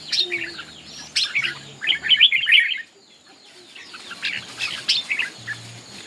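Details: Red-whiskered bulbul singing in a song contest: bursts of bright, quick warbled chirps and whistled notes, pausing near the middle before resuming, with low hum underneath.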